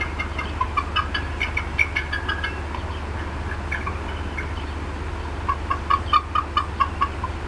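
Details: Female bald eagle upset at the Decorah North nest, 18 April 2016, afternoon, clucking for a long time after something in her area; short high chattering notes in bursts, a steady series near the end, over constant low hum.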